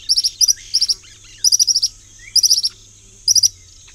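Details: Common tody-flycatcher (Todirostrum cinereum) giving sharp, high ticking notes in quick bursts of three or four, the groups repeated irregularly about once a second against a faint low hum.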